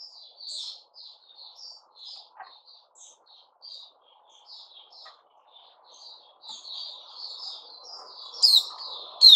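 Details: White-rumped shama song from 29 August 2021: a long string of soft, separate whistled notes that grows into louder, fuller warbling. Two sharp, strong phrases come near the end.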